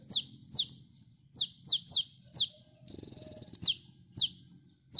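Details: Sunbird singing energetically as a lure: sharp high falling chips in irregular runs, with one brief high buzzy trill in the middle.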